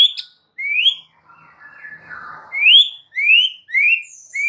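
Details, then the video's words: White-rumped shama song used to stir a mute bird into singing: clear rising whistles repeated about every second, with a soft rustling pause in between and high thin notes above. "99% EFEKTIF jadikan Murai BISU seketika NYAUT dalam HITUNGAN DETIK"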